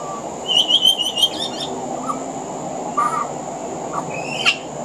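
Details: Pied butcherbird singing on a veranda, its song mixed with mimicry of other Australian birds: a quick run of bright repeated chirps, then a short low whistled phrase and a sharp high upslurred note, over a steady background hum.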